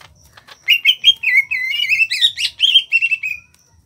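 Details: A small-bodied greater green leafbird from Kalimantan, kept as a songbird, sings a loud run of rich whistled and warbled phrases, wavering and rising in pitch, delivered continuously for about three seconds with brief chattering notes mixed in.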